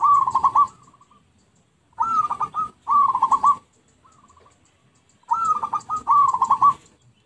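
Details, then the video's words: Zebra dove song used as a lure: rolling, trilled coos in short bursts, some phrases doubled back to back, with a brief lone note between them and quiet pauses. "Pikat Merbuk/Perkutut PALING AMPUH"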